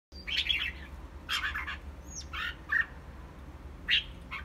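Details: Red-whiskered bulbul singing while doing its wing display: bursts of bright, scratchy chirps and short squawky phrases every second or so, one clear rising whistle, over a constant low hum.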